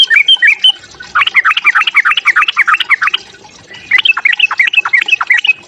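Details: Sooty-headed bulbul in provoking fighting song: a few clear whistles, then a dense burst of rapid warbling, slurred notes, a short gap, and another quick run of chirpy whistles.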